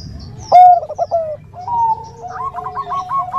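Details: Zebra dove of the Bangkok type, a female calling a male with a gentle 'nutut' voice: a sharp, rolling burst of coos, a drawn-out smooth note, then a fast run of soft, repeated trill notes.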